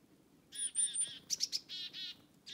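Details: Black-capped chickadee in a forest, following people: thin high whistled notes, then a run of harsh, buzzy 'dee' notes, with quick sharp chips between them.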